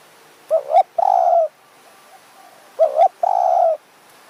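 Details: Spotted dove lured with a decoy bird in high mountain forest in Kanchanaburi, Thailand; two clear cooing phrases, each a wavering double note followed by a longer steady coo.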